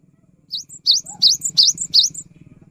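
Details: Cinereous tit (gelatik batu) singing persistently, a recording meant to prompt silent birds to sing: six quick high two-note phrases, each a sharp rising whistle then a thin higher note, over a low background hum.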